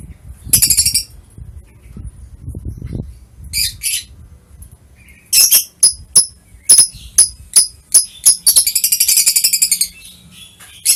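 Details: Lovebirds recorded on 21 March 2023, giving shrill, harsh chirps and squawks in short separate bursts, then a rapid, scratchy run of chatter near the end, with low background rumble between calls.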